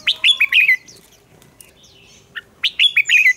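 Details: Red-whiskered bulbul delivering contest song to stimulate other birds: a rapid, liquid phrase of five or six bouncing whistled notes, a pause with a soft chip, then the same lively phrase again.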